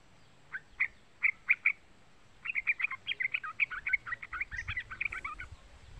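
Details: Young yellow-vented bulbul calling, used to provoke other bulbuls into singing: a few sharp chirps, then a fast bubbly run of short warbled notes lasting about three seconds.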